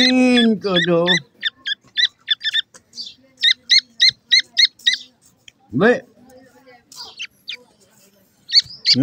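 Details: Captive grey francolin chicks raised on desi feed give a steady series of short, clear, high peeps, about three a second, after a human voice at the start; another person speaks briefly later.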